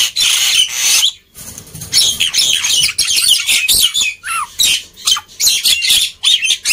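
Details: Black-winged myna singing loudly and continuously, meant to prompt quiet birds to sing; dense harsh chatter, grating squawks and a few falling whistled notes in fast irregular bursts.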